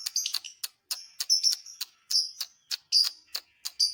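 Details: Lovebird song meant to provoke other lovebirds: fast irregular series of sharp high clicks and short shrill chirps.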